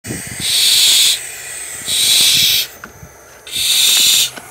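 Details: Young barn owl chicks, being raised in care before release to the wild, give three long, harsh, breathy hisses, each under a second, spaced about a second apart, over faint low background rumble.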